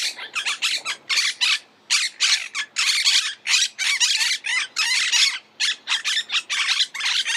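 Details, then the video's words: Monk parakeet (Argentine parakeet) giving a rapid run of harsh, raspy squawks, short bursts repeated several times per second with brief gaps, grating and broadband, dominating throughout with no other clear sounds. "Canto de la Cotorra - Sonido de Cotorras - Audio De La Cotorra Argentina"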